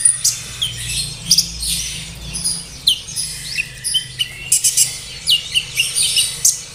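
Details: Lure song of an olive-backed sunbird, played so caged birds sing: high, thin, quick chirps and short downslurred whistles in uneven bursts, denser toward the end, over low hiss.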